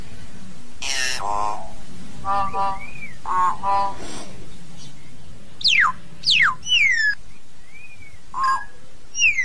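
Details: Hill myna calling the flock, opening with harsh, harmonic nasal notes, then clear whistles that sweep downward and a few short upslurred and arched whistles toward the end, over a low background hum.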